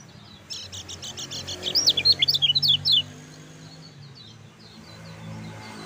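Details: Lemon-bellied white-eye song used as a master recording to stir other white-eyes into singing: a burst of rapid high chirps and short down-slurred whistles for about two and a half seconds, then quiet with faint distant twitters.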